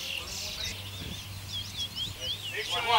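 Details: Bullfinch singing at a 2019 whistling competition in Arima, Trinidad: thin, high whistled notes looping up and down in quick succession. A low background hum and faint voices are also heard.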